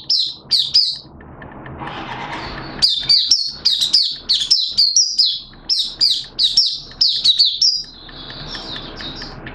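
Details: Oriental white-eye (mata puteh) from Malaysia, a caged songbird giving its open song on 21 June 2023: quick high chirps and twitters in dense clusters, with a short whooshing noise early and a soft hum underneath.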